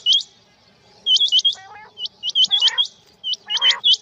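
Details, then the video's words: High, thin, upswept chirps from male and female quail in rain come in quick clusters of two to four, with occasional harsher buzzy notes below them. "Rain Male Female Quail Beautiful Sounds"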